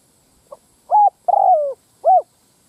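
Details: Spotted dove calling as a lure for wild cocks and hens: one complete phrase of a faint pip, a clear coo, a long rasping coo sliding downward, and a rounded final coo, with no other sounds.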